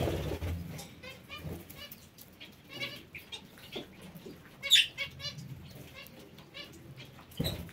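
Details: Parakeets kept in an aviary produce a steady stream of buzzy, harsh chatter notes from several birds, one loud squawk near the middle, low thumps at start and end.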